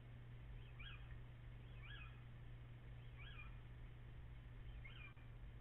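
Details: Little owl calling on 14 April, shortly after 04:56 before dawn, with possibly two birds heard at once: faint arched, mewing whistled notes repeated about once a second over a steady low hum, with some echo.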